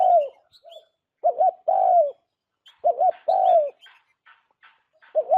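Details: Spotted dove, played as bait for bird trapping, giving low hollow phrases: a quick double note leading into a longer sliding coo, about twice in five seconds, with scattered faint high chirps of other small birds.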